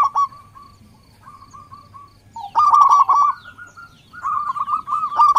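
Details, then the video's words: A zebra dove lure song of the local type: a few sparse short coos, then a loud rolling trilled phrase, a drawn-out note, and another run of rapid coos. "Suara perkutut lokal pikat dan pancingan paling manjur di putar sekali langsung jadi rame"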